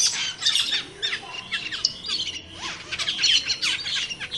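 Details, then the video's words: Cucak keling calling in the wild: harsh, jumbled squawks and quick downslurred chirps tumbling over one another without pause, with the loudness rising and falling. "Suara Burung Cucak Keling di Alam Liar"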